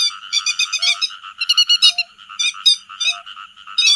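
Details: Grey-headed lapwings calling to the flock, a lure recording for netting: clusters of quick, rasping, harmonic calls separated by brief pauses, with an occasional short low tone.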